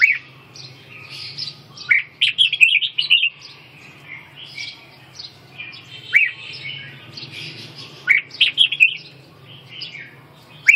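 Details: Red-whiskered bulbul, apparently a kept bird, singing short bright warbled phrases of rich, bubbling whistles in bursts every few seconds, over a faint low steady hum.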